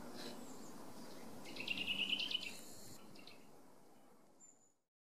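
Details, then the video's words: Eurasian nuthatch giving one quick run of about eight clear, evenly spaced piping notes, followed by quiet background and fading hiss. "Brhlík lesní - The Eurasian nuthatch (Sitta europea) - Hlas / Voice"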